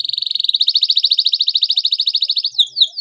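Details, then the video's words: Canary song used as a lure to make a caged canary sing more eagerly and aggressively: a fast, even trill of bright, high notes, about fifteen per second for two and a half seconds, then a switch to quick, sharply descending chirps. "Suara Pancingan Kenari Pilihan Agar Burung Anda Semakin Gacor Dan Nyerang Fighter"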